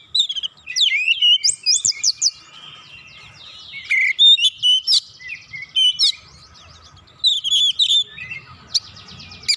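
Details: Oriental magpie-robin lure song meant to set other birds singing: loud varied whistled phrases and dry chattering notes in irregular bursts with quiet gaps.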